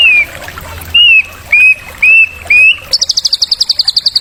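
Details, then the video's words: White-rumped shama song for stimulating young birds: five short whistled notes that arch up and level off, evenly spaced, followed by a rapid high-pitched trill of pulsing notes. "MASTERAN BUAT PERANGSANG UNTUK murai terotol"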